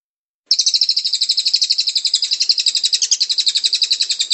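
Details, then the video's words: A cililin, in a recording used as a training or lure call, sings a long, even, high-pitched trill of rapid buzzy notes, around nine each second, held steady for nearly four seconds, with no other sounds. "masteran burung cililin"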